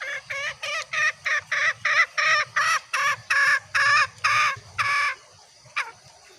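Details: Green junglefowl; the recording, described as a female's call, is used as a lure to draw males. A rapid series of about a dozen short, harsh, harmonic clucks in roughly five seconds, then one fainter note, against a quiet background.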